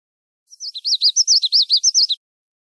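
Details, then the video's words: A Common Yellowthroat sings a rolling, slurred series of about five up-and-down phrases, quick and evenly loud, with no other sounds. "here are a couple more examples of common yellow throat songs which show the same qualities"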